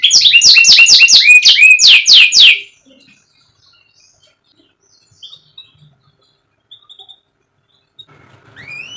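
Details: Canary singing, meant to prompt a silent caged canary: a fast run of bright downward-sweeping notes lasting under three seconds, followed by near silence with a few faint chirps and a soft rising note.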